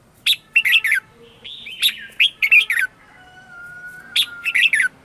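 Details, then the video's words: Red-whiskered bulbul singing in the morning as a lure to attract wild birds and spur singing: clusters of quick chirpy notes with click-like attacks, brief pauses, and a thin, level whistled tone heard between phrases. "Luyện chào mào hót sáng - CHÉ GỌI BỔI CĂNG ĐÉT"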